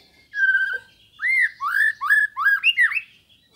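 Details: White-rumped shama, Indonesian training recording meant to provoke rival birds: one long steady whistle, then a string of five or six loud looping, rising-and-falling whistled notes in quick succession.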